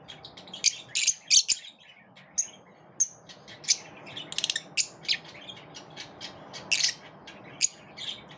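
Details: Lovebirds kept together in a group, squabbling and repelling one another; sharp high chirps and squawks come in irregular bursts with short pauses, several birds overlapping.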